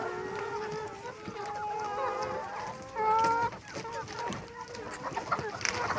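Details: Several domestic layer chickens raised for eggs or meat, calling in chorus: long, wavering, nasal notes layered over one another, with one louder squawk standing out midway.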